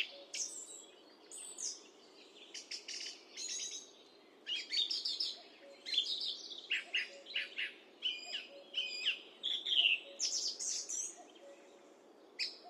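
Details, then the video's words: Song thrush singing, captured with a high definition microphone: varied bright phrases, some rapidly repeated notes and sharp whistled strokes, with short pauses between bursts. "Song thrush Singing"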